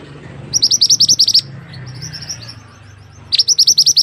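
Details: High rapid trills from a mantenan bird, a recording meant to teach other birds: two bursts of crisp, repeated chips about three seconds apart, separated by faint high twittering over a low hum.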